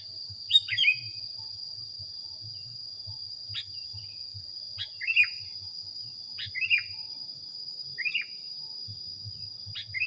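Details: Sooty-headed bulbul on a training recording, giving brief downward-sweeping chirp phrases every one to two seconds against a steady shrill background whine and faint low rumble.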